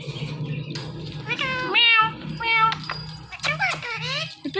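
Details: Indian ringneck parrot talking: meow-like harmonic syllables with stepped, falling tones in short bursts, set over a steady low electrical hum.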